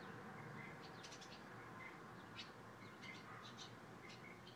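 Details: Purple martins scouting a front home entryway as a possible nest site on May 28, 2012, where they nested the two previous years; short, scattered high chirps and twitters over a steady background hiss.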